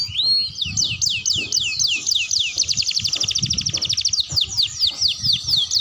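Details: Young canary practising its song: continuous high, rolling trills made of fast repeated sweeping notes, shifting between tours without pause, over faint low background noise.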